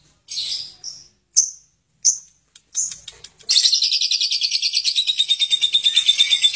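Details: Lovebird singing ngekek, described as harsh and long: several separate sharp, high squeaky chirps at first, then an unbroken, rapid, buzzy chatter of quickly repeated notes that carries on steadily for the last three seconds.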